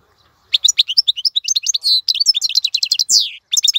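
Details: A European goldfinch sings for teaching young birds: after half a second of quiet, a quick run of sharp chirps, liquid twitters and a drawn-out descending buzzy note near the end.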